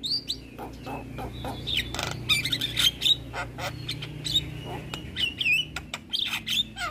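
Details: Asian pied starling (jalak kebo) song in gacor style: continuous varied medley of sliding whistles, squeaky slurred notes and harsh clicking bursts, with a low steady hum underneath.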